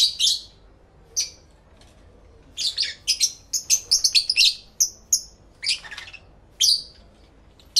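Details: Pet lovebirds talking to each other, recorded live in stereo with two microphones: a lively run of rapid high-pitched chirps and squeaky chatter, several birds overlapping, with brief lulls.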